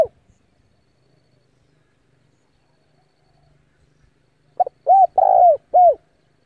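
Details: Decoy spotted dove from Vietnam, calling wild rivals to come and fight: after a long silence, one phrase of soft low coos, a short lead note followed by three rounded coos, the middle one longer and rolling.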